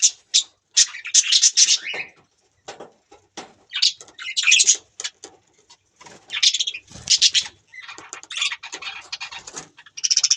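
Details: Budgerigars chirping in short bursts of bright, buzzy, scratchy notes. Rapid warbled phrases alternate with brief pauses, and a few isolated clicks and ticks fall between the bursts.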